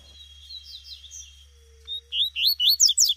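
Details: Female double-collared seedeater calling in the wild: faint high chirps, then a quick run of about six loud, rising, slurred chirps near the end, with a steady thin high tone in the background.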